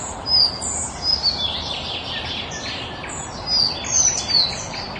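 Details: Collared flycatcher delivering a louder burst of high squeaky whistles mixed with rougher, buzzier chirping notes, in two bursts separated by a brief lull, over a noisy outdoor background.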